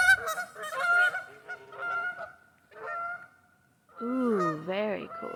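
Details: Lively geese in a local park in West Virginia give a run of nasal honks, some overlapping, then a pause and a lower wavering honk. A person laughs and speaks nearby.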